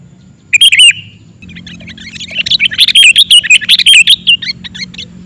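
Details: Sooty-headed bulbul giving a lure song: an opening whistled phrase, a pause, then a rapid run of bright, chirpy, bubbling notes in quick bursts for several seconds over a low steady hum.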